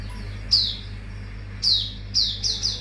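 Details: Mangrove whistler in a lure recording of its full repertoire: loud, high sliding whistles falling in pitch, first spaced about a second apart, then a quick run of three shorter ones, over a low hum.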